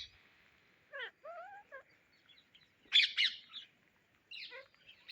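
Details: Indian ringneck parrots searching for grains: a few short harmonic chirps and bent squeaky notes come in scattered bursts with quiet gaps between them, then a louder pair of harsh screeches in the middle.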